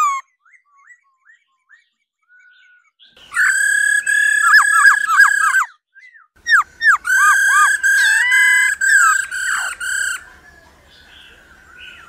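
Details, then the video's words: Female laughingthrush calling 'ro ro' to excite males into singing: faint scattered chirps at first, then two long loud bursts of buzzy, harmonic whistles with quick rising and falling inflections, separated by a short pause. "Khứu mái ro ro.kích trống hót căng"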